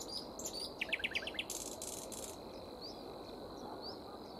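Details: Nightingale song beside a foraging grey warbler: a fast burst of about six sharp repeated notes, followed by a rasping buzzy rattle, then quiet high upslurred whistles against a low noisy background.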